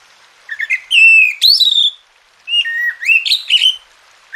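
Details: Oriental magpie-robin song played as tutoring and therapy to get quiet birds singing: two bursts of clear whistled phrases, sliding and rising notes mixed with sharp upward sweeps, separated by a short pause, with no other sounds.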